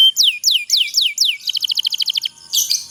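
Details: Canary song used to prompt reluctant canaries: five slurred falling whistles, a quick run of short repeated trill notes, then a brief buzzy burst.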